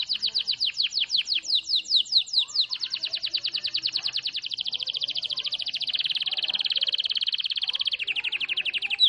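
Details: Canary in full song: it opens with separated downward-sweeping chips, then speeds up into a long, dense, high rolling trill that holds steady to the end.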